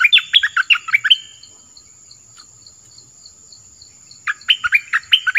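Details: Southern orange-headed thrush singing, a song used for luring wild birds and teaching young birds: a rapid run of rich, varied whistled notes, a quiet gap, then another quick warbled phrase.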